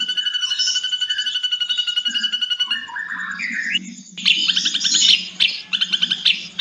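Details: Ashy drongo singing vigorously for songbird training, its voice described as long and harsh: a pulsed buzzy trill, rising slurred notes, a brief pause, then loud harsh chattering bursts over a low background hum.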